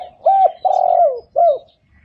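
Spotted dove giving three low, hollow coos, the middle one longer and drawn out, with soft background noise.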